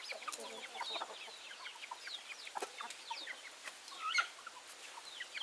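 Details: Backyard chickens in a flock, a steady jumble of brief clucks and high chirping notes with one louder squawk near the end.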